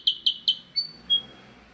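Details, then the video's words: Brief burst from a percang bird: three quick, bright chirps, followed by a thin, drawn-out high whistle and a second softer whistle, with faint low background hum. "Burung percang gacor"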